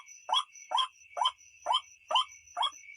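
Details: White-breasted waterhen call, a recording used to lure the birds at night: short harsh croaking notes repeated steadily about twice a second, over a constant high insect-like whine.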